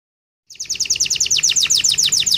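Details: Canary song used as a training recording for other canaries, with a sweet melodic style: after half a second of silence, a fast series of bright, high, downward-sweeping notes repeated about six times per second.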